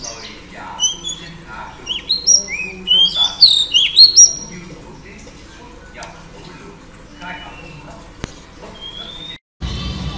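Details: Female Oriental Magpie Robin singing to rouse males: a burst of sharp, high whistled notes and rising slurs in the first four seconds, then softer scattered chirps, one click and a brief dropout near the end.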